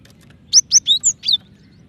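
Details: Female cinereous tit calling the male, a call said to quicken other tits' calling; five quick, sharp, high chirps in a tight run, the fourth slightly lower and the last buzzier.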